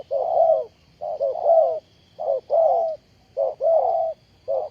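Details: Spotted dove kept as a ground decoy for snaring wild doves, 20 April 2020. Rapid, insistent coo phrases, each a clipped note followed by a broad falling coo, repeated roughly every second.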